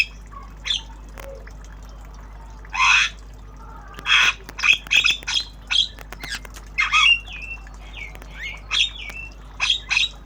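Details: Javan myna, a tame bird learning sounds in the chattering obyogan style: harsh rasping squawks build into a busy run of short notes mixed with clipped whistles, near continuous over the last six seconds.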